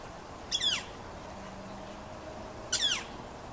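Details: Yellow-shafted Northern Flicker near the nest where the male feeds young; the male calls on arrival and the chicks answer with the same call. Two separate squealing notes, each sliding downward, about two seconds apart, over quiet background.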